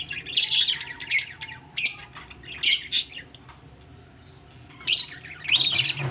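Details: Budgerigars ready to lay eggs, uttering loud, squawky chirps in separated bursts roughly every second, with a quiet pause before two final harsh calls.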